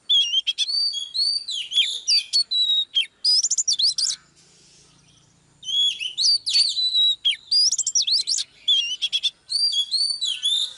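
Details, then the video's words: Oriental magpie-robin female singing live to excite a male, with near-continuous bright whistled phrases, quick trills and slurred notes and one clear pause midway. "chòe than mái KÉO TRỐNG LÊN ĐIỆN"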